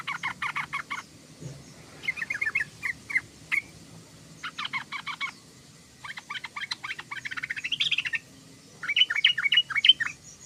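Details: Sooty-headed bulbul chattering song: bursts of quick chirps and bubbly notes in rapid runs, broken by short pauses, with some clearer whistled notes near the end.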